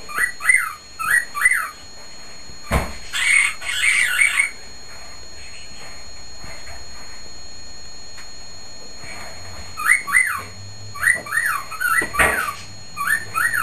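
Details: Male cockatiel whistling at the top of his lungs in his cage, short pairs of bright rising whistles, a harsher burst of calls, a quiet gap, then a run of whistled notes again; a sharp click and steady indoor hum.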